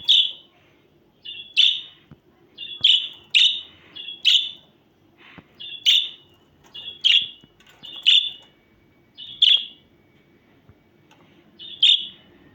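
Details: Budgerigar giving a run of about a dozen sharp, piercing chirps at uneven intervals, sometimes two in quick succession, with short gaps between bursts and a faint low hum underneath.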